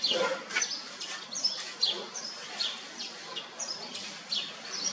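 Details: Red-whiskered bulbul in a cage giving a steady run of short, bright, high chirps and slurred notes over soft background hiss.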